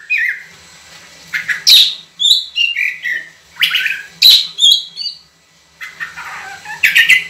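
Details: White-rumped shama, known locally as kacer, singing long clear phrases: varied whistled and buzzy notes sliding down and up, in bursts separated by short pauses, with faint low hum beneath.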